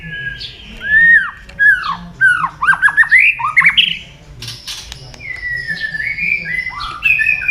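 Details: Singing white-rumped shama, played to stir other shamas into song: rich slurred whistles sweeping up and down, a quick cluster of looping notes, then long drawn whistled phrases.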